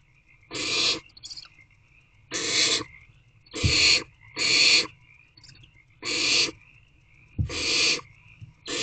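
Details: A run of six rough, snoring-like hisses from barn owlets in a nest box at 10:26 pm, 3/5/24, each about half a second long and roughly every one and a half seconds, with light knocks and a faint steady whine.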